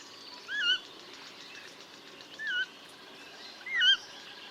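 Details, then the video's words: Coot calling in a natural wetland habitat: three short, slightly downslurred ringing notes with harmonics, spaced unevenly across a few seconds over a soft, steady background hum. "Coot Bird Sound | Real Calls of the Wetland Water Bird"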